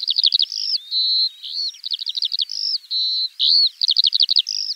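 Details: Eurasian skylark singing in spring, quick runs of trilled notes broken by longer flat whistles and rising slurs, an unbroken high-pitched flow with no background noise.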